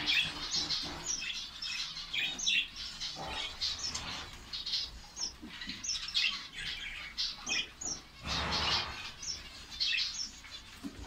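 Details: Finch colony in Saudi Arabia, many birds chirping together: dense high twittering and short tweets overlapping throughout, with brief bursts of louder wing-flutter or rustling noise.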